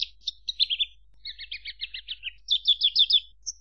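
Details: Javan bush lark song of varied high notes: short chirps, a jumbled run of doubled chattering notes, then a quicker bright burst ending in one thin whistle.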